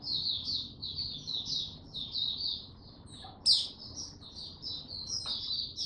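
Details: Male white-eye in February 2022, song not yet mature: a quieter, continuous thread of high warbled chirps with one sudden sharp squeak midway, set against a noticeable low background rumble.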